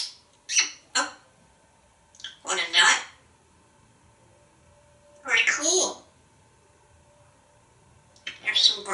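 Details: A male pet African grey parrot in a Texas home, hatched 1997, talks in the shower, his favourite talking place: short, breathy mimicked word-like phrases and squawky bursts in spaced clusters over running-water hum.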